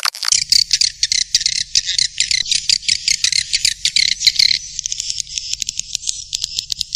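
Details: Swiftlet lure call in the Black Panther style, played to draw swiftlets to the central area of a nesting house: dense, rapid high twittering chirps in fast clusters, with a faint low rumble underneath throughout.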